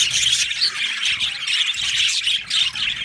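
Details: Many budgerigars in a colony aviary chirping together, a dense continuous chatter of high squawks and warbles with no pauses.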